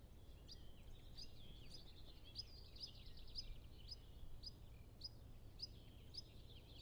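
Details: European pied flycatcher singing during its two-week nesting period while feeding two young, recorded on a Zoom F6 with Sennheiser MKH 8040: high, thin chirped notes repeated about twice a second over a steady low rumble, other birds in the distance.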